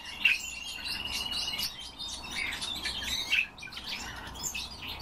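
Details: Captive pet common starling singing on request, a busy mix of scratchy chatter, clicks and a drawn-out thin whistle, ending in quieter warbling.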